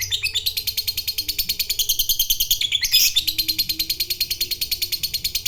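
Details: Long 'ngekek' trill from a fighter lovebird, meant to stir a rival into calling; an unbroken, rapid series of harsh high chattering notes, briefly louder and rougher near the middle.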